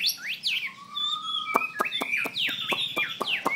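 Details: Chinese hwamei ('hoa mi xoe') in song: long sliding whistles, one rising slowly and steadily, then loud falling and arching phrases. Sharp clicks sound repeatedly beneath the melody.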